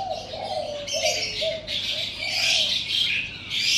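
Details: Early-day birdsong beside a house: soft low coo notes open and repeat, while bright, shrill chirping swells over them in waves, backed by a faint constant hum.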